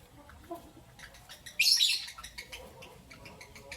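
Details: Lovebirds, albino and Euwing green opaline, chirping in the morning: soft scattered ticks, then one loud, very high, shrill burst of chirps lasting under half a second, fading back to quieter clicks.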